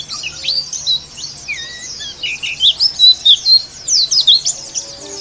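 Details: Oriental white-eye female in rough song, delivering rapid high twitters and short swooping whistles in quick pulsing bursts, growing louder midway, with a faint low hum behind.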